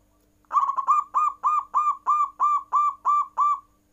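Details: Caged zebra dove (perkutut) in full nggayer cooing that prompts rival birds to call: a stuttering start, then about nine even, rolling coo notes repeated at a steady quick pace over three seconds.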